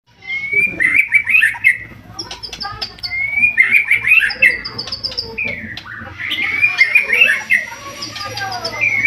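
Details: White-rumped shama in energetic song used as a lure to provoke other birds into singing: rich whistled phrases with rapid trills and chirps, a burst repeated roughly every three seconds over a steady low hum.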